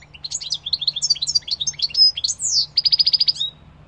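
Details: European goldfinch in full song: quick liquid twitters and a sweeping descending buzz, then a rapid rattle of about ten evenly spaced chips before a final short note.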